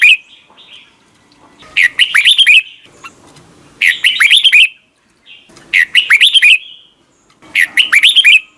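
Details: Red-whiskered bulbul morning training song in wild-style 'double note' manner: four bright warbled phrases of quick looping whistles, each about a second long, repeated every two seconds with short soft notes between.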